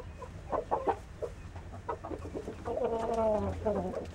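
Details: Saigon green-legged rooster: scattered short clucks, then a drawn-out harmonic call that falls slightly in pitch, followed by another brief call, over low background rumble.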